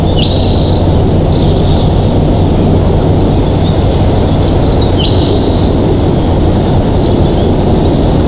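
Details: Bald eagle couple at a Big Bear Valley nest cam, 07/12/2023: three separate high, thin piping calls, each under a second, spaced several seconds apart, with weaker notes between, over a loud continuous low rumble.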